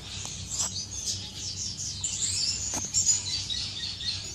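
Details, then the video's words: Courting finches inside an aviary on 10 May 2015, several birds chattering at once in high, fast tweets and short trills, with an occasional soft rustle. "غزل بين طيور الفنش داخل مطير"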